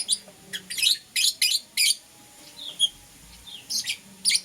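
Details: Lovebirds, Euwing Green Opaline and Lutino, chirping in the morning: loud shrill squeaky chirps in tight clusters, a brief pause, then another quick run.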